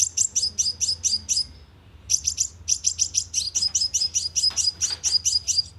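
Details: Sunbird lure sound for a loudspeaker bird trap: almost continuous, rapid high-pitched chipping in tight bursts, growing busier toward the end with some overlapping notes.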